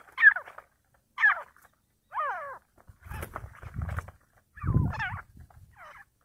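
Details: Partridge fighting: sharp descending harmonic calls about once a second, with deep rumbling thuds and scuffling noise underneath in the second half.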